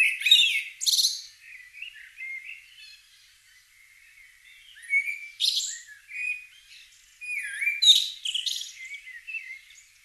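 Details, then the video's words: Common blackbird singing at dawn in the British countryside in spring: slow, mellow fluted warbles, each ending in a high, scratchy twitter, with phrases several seconds apart. "Blackbird Dawn Bird Songs"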